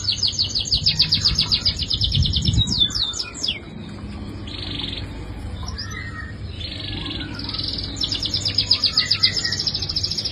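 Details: Canary song: fast pulsed trills alternate with buzzy rolled phrases and short sweeping notes, bursting in dense runs over a constant low electrical hum.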